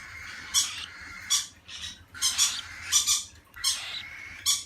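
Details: Two cockatiels give harsh, screechy squawks in quick bursts, one after another.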